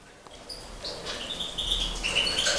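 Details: A breeding Major European goldfinch in the 2012 season gives short, bright twittering notes that rise in clear, high flourishes over a steady background hiss.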